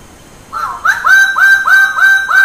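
A bird-of-paradise gives a quick run of five loud, nasal, honking notes, each bending slightly upward, about three per second.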